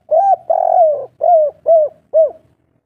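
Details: Spotted dove of a local Indonesian kuk 3 type cooing loudly: a short hoot, a long sustained coo, then three clipped, evenly spaced soft hoots, all mellow and low.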